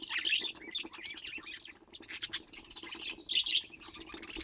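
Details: Budgerigar warbling: continuous quick chirps and squeaky notes in an unbroken chattering stream, a few louder bright twitters standing out, faint constant hum beneath.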